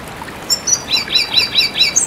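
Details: Red siskin song in a tutor and lure recording for training cage birds: a run of sharp, high, rising-then-falling chirps, about four per second, over a faint hiss.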